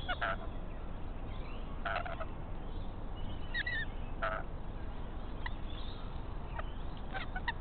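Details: Two rainbow lorikeets chatter while raiding a pied currawong's empty nest, giving short harsh squawks spaced a couple of seconds apart plus a few fainter chirps, with a persistent low rumbling noise underneath.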